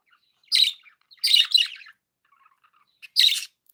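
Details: Cheerful pet budgerigars giving loud, buzzy chirps: a single note, then a double burst, then a pause and another harsh chirp, in a quiet room.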